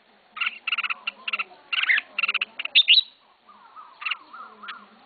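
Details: Captive red-whiskered bulbul, a beginner's first pet bird, sings clusters of quick chirped notes and one sharp rising whistle. Softer lower warbling notes follow near the end.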